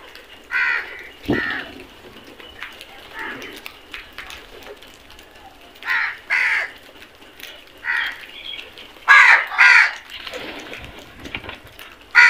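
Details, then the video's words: Flock of crows feeding together, scattered harsh caws from several birds, short rasping bursts at irregular intervals, some overlapping, with a faint thud early on. "Flock of crows beautiful sound effect"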